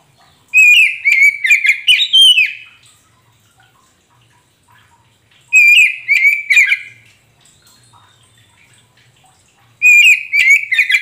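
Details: Oriental magpie-robin (kacer poci) singing as a lure for a bird that has stopped singing: three separate phrases of fast, varied whistles and chatters, each lasting about two seconds, spaced roughly four seconds apart.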